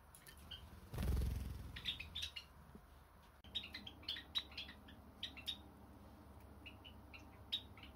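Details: Pet Java sparrows indoors with no background music: a scatter of short, high chirps and clicks, several per second, after a low thump near the start, in a quiet room.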